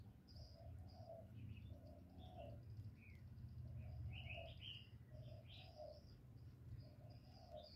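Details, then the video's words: Spotted dove cooing in the 'giọng thổ' voice, combining calling, urging and cooing phrases to excite males: soft low three-part coos repeated evenly, with scattered high chirps from other birds behind. "Cu gáy GỌI+THÚC+GÙ hạp bổi kích trống hiệu quả, Cu Gáy giọng thổ, tiếng cu đất.cườm gáy, cu đất gáy"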